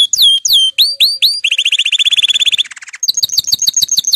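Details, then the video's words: An excited male canary, readied for mating, gives looping rising whistled notes, a fast rolling trill that drops lower, then a quick chattering series of high doubled notes. "صوت دكر الكناري الهائج"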